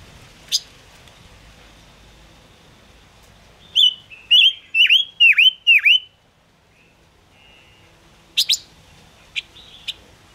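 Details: Gouldian finch, known as five-coloured bird, in a trapping-lure song: a series of five fast whistled notes that dip and rise, with isolated sharp chirps before and after.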